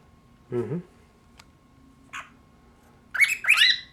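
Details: A pet cockatiel, known to talk to plates, chatters brightly and scratchily at a plate held up to him after a brief low human voice coaxes him to say something.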